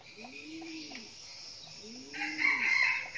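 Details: Decoy red junglefowl, a bird known for crowing often, starts a loud, harsh, broken crow about two seconds in, after soft low cooing from doves in the background.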